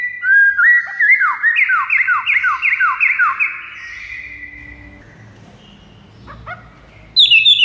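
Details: White-rumped shama song played to lure rival shamas: a rapid run of loud, repeated rising-then-falling whistles for about four seconds, then a quiet stretch with faint notes, ending in a sudden high whistled burst.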